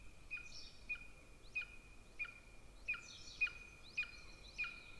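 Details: Golden eagle at a nest camera in Estonia near a military training ground, 13 May 2024; faint, evenly spaced short call notes with a steady ringing tone and a drop at the end, about eight in five seconds.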